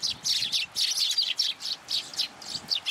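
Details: Young sparrow that flew to a plum tree at a Tenmangu shrine to be fed, 15 June 2022: rapid bursts of high, shrill chirps in quick runs with short pauses between groups.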